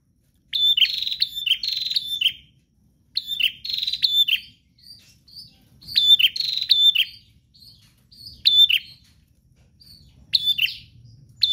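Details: Prinia in full, relentless song, recorded to set other kept prinias singing: a series of bursts of sharp, buzzy high notes and rattles, separated by short pauses and a few isolated soft chips.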